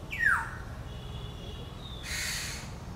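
A Black-hooded oriole gives one harsh, downward-sliding squawk, then a faint thin whistle and a brief burst of hissing noise.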